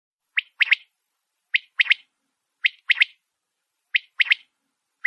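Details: A male common quail gives a sharp, liquid three-note call about every 1.2 seconds against a quiet background, calling to a female quail.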